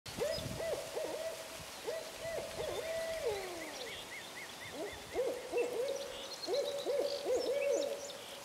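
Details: Two barred owls calling in Illinois on 19 March 2011, trading loud, rhythmic hoots, some slurring down into wavering, gurgling notes, in a lively overlapping chorus with faint higher chirps behind.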